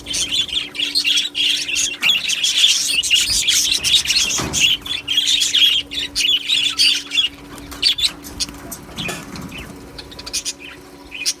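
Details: Budgerigars in an aviary colony chatter loudly in dense high chirps and squawks for several seconds, then the flock sound thins to scattered chirps, with a soft flutter and low hum.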